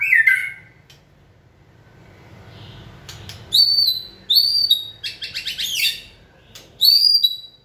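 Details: White-rumped shama in singing training; after a brief harsh note and a pause, clear high whistled phrases with sharp clicks and a short rattling burst, spaced by silences.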